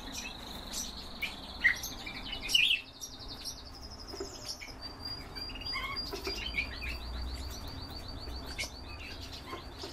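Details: Canaries in a breeding setting sing fast pulsed high rolls, one trill breaking off and another starting after a short gap, with scattered sharp chips and squeaks from other birds mixed in.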